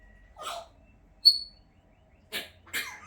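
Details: A pet African grey parrot with a bit of a cough: three short, breathy, rasping bursts spread over three seconds, with a brief sharp whistled note between the first two, in an otherwise quiet indoor setting.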